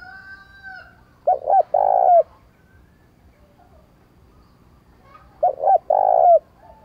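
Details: Cooing spotted dove, a call meant to provoke decoy birds into cooing. Two identical phrases about four seconds apart, each two short notes then a long full coo. Another bird's tonal call is heard faintly at the start.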